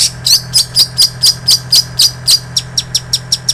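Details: Long-tailed shrike singing a mimicked ciblek sawah and canary medley, used as master training audio for songbirds: a rapid run of sharp, high chirps about four per second, the later notes shorter and thinner, over a steady low hum.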